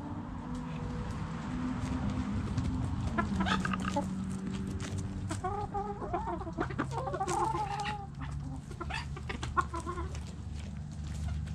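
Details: Chickens digging in the dirt give a run of short, nasal clucks with clear harmonics, bunched in quick uneven bursts through the middle of the recording, over a steady low rumble and faint scratching sounds.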